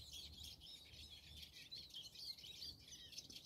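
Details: European robin in the snow on 21 January 2024, giving faint, thin, wavering high twitters and warbled phrases against a soft low rumble of background noise.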